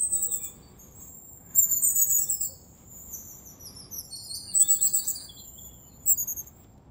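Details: Thin, piercingly high notes from wild long-tailed tits in winter, Moscow region, January, come in bursts of overlapping seeps every second or two against a still, quiet backdrop.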